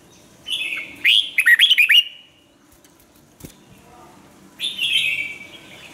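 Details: Red-whiskered bulbul song used for song training: bursts of rich, bubbling warbled notes around the upper-middle range, a loud fast phrase near the start, a quiet pause, then another sustained warbling phrase.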